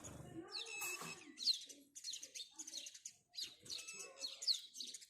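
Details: Repeated house sparrow chirps, harsh and falling in pitch, delivered in quick groups roughly every half second with a short pause midway.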